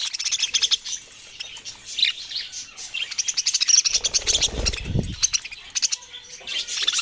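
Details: Budgerigars twittering in a lively group, with rapid, repeated high chirps and a brief low thump partway through.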